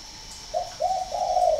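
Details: A northern Vietnamese spotted dove at a Ba Vì, Hanoi bird farm gives three soft coos in quick succession, the last stretched into a long, gently rolling note.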